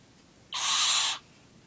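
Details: Single harsh, wheezing hiss lasting roughly two-thirds of a second from a nine-week-old barn owl while it is being fed; otherwise quiet.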